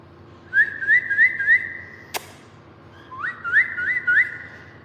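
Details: Bulbul singing on 30 December 2025: a run of four short, rising whistled notes, a single sharp click, then another series of upslurred whistles over a steady low hum.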